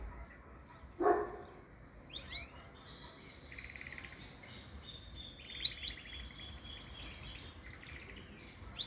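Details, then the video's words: Canary, metralha song: scattered sharp high chips and short pulsed trills recurring through the phrase, with one loud low knock near the start and a hissing background. "Metralha Canario veio"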